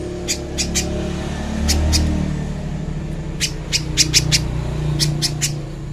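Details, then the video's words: Little spiderhunter, a clear recording made for training: scattered bursts of high, sharp chip notes in groups of two to four, with a low rumbling hum underneath. "MASTERAN BURUNG PIJANTUNG PISANG JERNIH"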